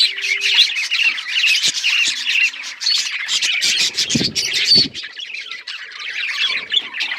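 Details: Budgerigars chirping and talking as a flock: dense, continuous warbling chatter with scratchy squawks and bright whistled notes. Two short low hums sound near the start, and two dull thumps come around the fourth second.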